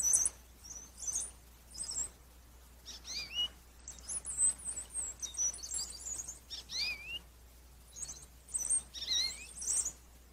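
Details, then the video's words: Indigo bunting recorded 22 February 2021, singing faint, very high, thin phrases of sharp chirps and down-slurred notes in short bursts, some in pairs, separated by brief pauses, over a low steady background hum. "Another Day, Another Indigo Bunting"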